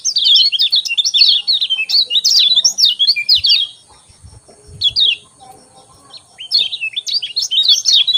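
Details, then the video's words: A lemon-bellied white-eye sings at morning with long, unbroken streams of quick, high warbled chirps. After a short quiet gap with faint knocks, a fresh run of twittering follows. "Ciak Ciak Joss Kecial Kuning Pagi Hari Bikin Kecial Kuning Malas Bunyi Cepat"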